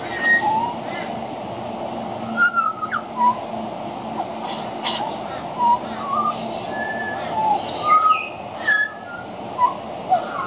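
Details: Juvenile pied butcherbird practising singing: soft, hesitant fluted whistles, short level and slurred notes scattered every second or so, some mid-pitched and a few higher, over steady broadband background hiss and faint clicks.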